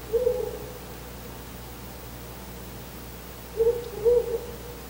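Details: A male Ural owl at the nest site before dawn, 4 August 2020, calls from the window side: one soft low hoot, a long gap, then two hoots in quick succession over a quiet humming background.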